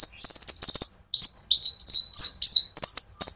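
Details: Brown-throated sunbird (konin) with lively 'ngerol' song, a lure for olive-backed sunbirds. A fast buzzy rattle gives way to about five ringing whistled notes, each sliding slightly downward, then more rattles.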